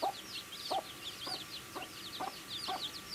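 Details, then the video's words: Baby chicks chirping while eating food: a steady stream of thin, high, downslurred peeps, with soft lower clucks or pecks about every half second. "Baby Chicken Eating Food | Cute Baby Chicks Chirping Sounds"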